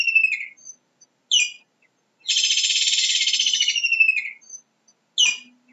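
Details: Kingfisher giving high, sharp downslurred notes around a long, rapid trill of close-set pulses, shrill and buzzy, trailing off in a descending slur after about two seconds; silence between notes, no other sounds.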